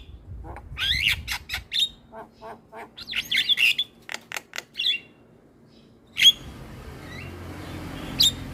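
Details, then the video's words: Starling song used to attract other starlings and make reluctant singers respond: clusters of sharp chirps and squeaky whistles with clicky bursts, then a quieter stretch with single sharp notes over faint hiss. "Pancingan Segala Jenis Burung Jalak - Jalak Malas Bunyi / Jalak Pikatan Auto Nyaut"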